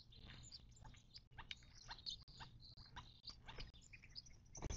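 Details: Chattering birds at a desert watering hole near Joshua Tree National Park, western Mojave Desert, March 19, 2024: rapid clustered chirps and scratchy notes come in bursts, with brief pauses and a low constant rumble.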